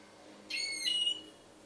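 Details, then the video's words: A single high, slightly harsh note from a goldfinch hybrid recorded at Ksar el Kebir. The note is rasping at first, then smooths into a level whistled tail lasting roughly half a second in total. "mixto jilguero"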